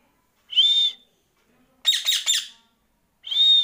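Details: Pet Indian ringneck parrot whistling: three clear high whistles, the middle one broken into quick buzzy pulses, separated by short silences, indoors.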